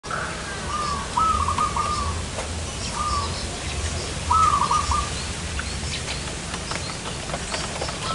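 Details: Zebra dove calling while being lured for trapping in front of a house: short bursts of rapid, stuttering, rolling coo notes, each lasting under a second, repeated at irregular intervals over steady low hum and background noise.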